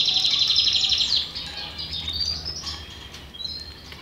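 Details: Belgian canary giving a fast, bright trill of closely repeated notes for about a second, then softer scattered chirps.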